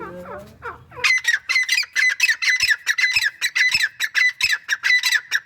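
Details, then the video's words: A pet male grey francolin (teetar) calling alongside his female, giving loud, harsh, squawking notes in a rapid, steady series of about four a second, after a brief murmur of a voice. "Teetar Making Sounds | Teetar Voice"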